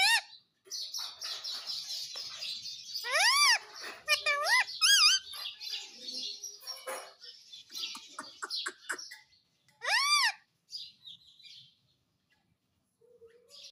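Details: Indian ringneck parrot, a pet talking bird, giving loud harsh arched screeches and rapid chattering chirps in bursts, with quiet pauses between.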